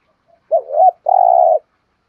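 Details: Thúc gù cooing from a spotted dove: one wavering two-part coo, a short pause, then a long, flat, vibrating coo, loud and clean with no other sounds.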